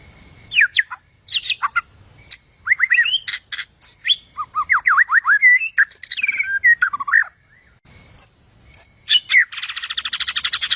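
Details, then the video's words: White-rumped shama song meant for tutoring contest birds: loud, varied whistles, quick downslurred notes and clicks in a dense torrent, ending with a fast buzzy trill. "SUARA Murai Hutan bagus buat isian Kontes"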